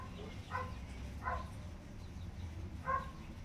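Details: Calls of Cinereous and Little Tinamou chicks: brief, faint notes with stacked harmonics, two close together and a third after a pause, against low background hum.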